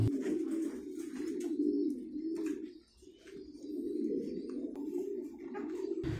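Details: Domestic pigeons kept in pairs on a pigeon farm in Vietnam, cooing: low, rolling, continuous coos from several birds, a brief lull near three seconds, then cooing resumes.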